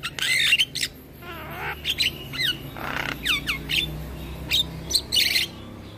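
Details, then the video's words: Young male black-winged starling, a cage bird, bobbing its head while it sings busily: harsh squawks, scratchy chatter and short slurred whistles over a steady low hum. "Jalak Kebo Jantan Muda Rajin Bunyi - Jalak Kebo Jantan Manggut Manggut"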